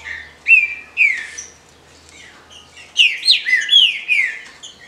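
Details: Female green-winged saltator calls, used to stimulate males: bright chirps in short slurred notes that slide downward, two loud bursts early and then a busier cluster of overlapping chirps near the end, with a quiet hum underneath.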